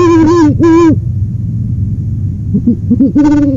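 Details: Two long, loud owl hoots open the passage, then faint background hum, a few soft short hoots, and one more strong drawn-out hoot at the end.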